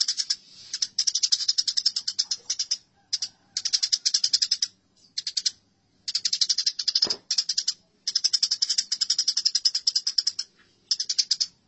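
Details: Fighting Eurasian tree sparrows chatter in harsh, rapid series of chirps, with many bursts separated by short pauses and one brief knock near the middle.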